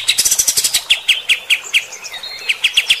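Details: Kapas tembak bulbul's coarse shooting song for provoking fighter-type birds: a quick tumbling burst of scratchy notes, then slower, separate sharp chirps spaced about a fifth of a second apart.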